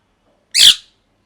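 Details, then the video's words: Pet parrot in molt: a single short, loud, harsh squawk. "Parrot Chirping Sounds | Natural Parrot Sounds | Parrot Calling Sounds"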